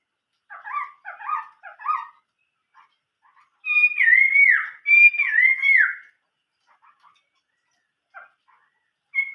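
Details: Chinese hwamei song: a triplet of soft repeated phrases, silence, then two loud, rich whistles sweeping down in pitch, with faint quiet notes after.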